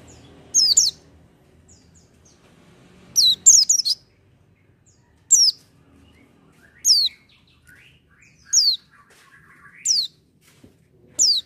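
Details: Oriental white-eye, called pleci, singing without doping: a run of bright, descending high chirps, one quick burst of three together, then single notes roughly every one and a half seconds, in near silence.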